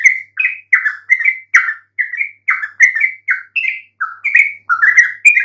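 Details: Lure song of a Yellow-vented Bulbul for making quiet birds answer: loud, liquid chirruping phrases of slurred notes, one after another with brief gaps.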